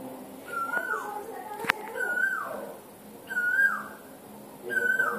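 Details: Asian koel (Eudynamys scolopaceus) calling in the evening from a jamun tree gives clear whistled notes that slide downward, repeated about every one and a half seconds, with a sharp click and a faint background murmur.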